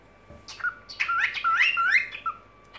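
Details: Evening warble of a pet cockatiel: a scratchy chirp, then a run of rising, wavering whistled notes lasting about a second, ending with a short flat whistle.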